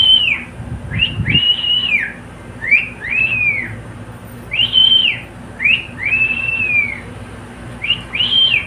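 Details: Pet cockatiel giving a loud whistled song of long arched notes and shorter rising slurs in pairs, steady and clear, with a brief low thump early on.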